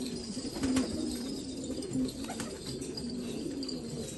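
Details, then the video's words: Black Afghan pigeons, Afghanistan. Two short, low coos come roughly a second apart over a steady murmur of softer cooing, with a faint flutter of wings. "کفتر های مشکی افغانی"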